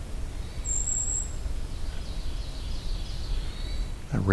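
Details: Golden-crowned Kinglet in Allegheny National Forest gives a thin, very high, level 'ring' call note, with fainter high notes after it, over steady low rumbling noise and a brief voice at the end.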